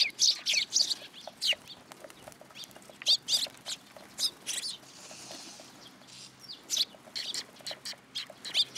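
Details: Sparrows assembling for food at a Tenmangu shrine on 10 July 2022. Irregular bursts of high, clipped chirps from several birds, with a short quieter stretch in the middle.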